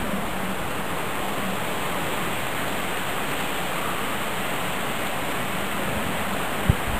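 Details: Loud, constant rushing noise like falling water, with one sharp click near the end and no animal calls.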